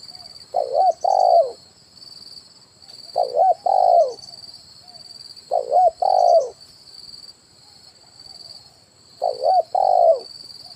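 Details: Spotted dove 'kuk 1' lure call, played as a decoy to draw wild birds to branch and ground for trapping: four phrases about every three seconds, each a quick wavering double note and then a fuller descending coo. A constant high-pitched ringing continues behind.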